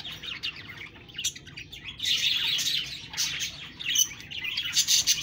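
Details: Budgerigars chirping: scattered high chirps at first, then a dense stretch of warbled chatter with sharp notes toward the end.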